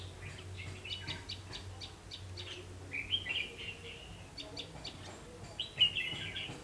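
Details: Red-whiskered bulbul (ché) calling as a lure at a double spring trap, late afternoon on 3 September 2016: scattered short chirps, then louder fluty warbled phrases, with a low hum underneath.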